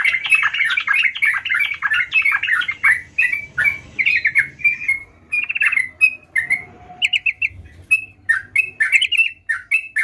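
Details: A lively sooty-headed bulbul opens with fast, tumbling, overlapping chatter, then settles into separate short whistled notes and brief warbles, spaced unevenly over ten seconds.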